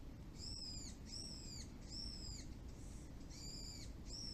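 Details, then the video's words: Birds at a neighbourhood plum orchard in Japan-style farmland after rainfall: five loud arching harmonic notes about half a second each, spaced at regular intervals, a faint muffled note between, over a low constant hum. "鳥の鳴き声 Chirping of birds"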